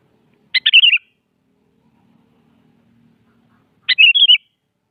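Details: Morning duel-challenge song of a sooty-headed bulbul; two bubbly phrases of several quick chirped and warbled notes, about three seconds apart, over a faint low hum.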